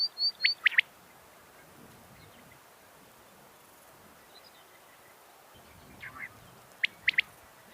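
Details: A female quail calls, a sound said to bring quails running: short, sharp, high notes in a quick group of three, repeated after a pause of about six seconds, over faint background hiss.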